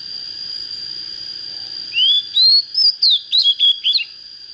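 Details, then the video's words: Young untrained Oriental magpie-robin, just turning fiery and with a good standard voice, opens with a rising whistled slur, then adds a string of about six quick, bright, bouncing notes. A steady high tone lies underneath. "Chích chòe than mộc CHỚM LỬA || có chất GIỌNG CHUẨN"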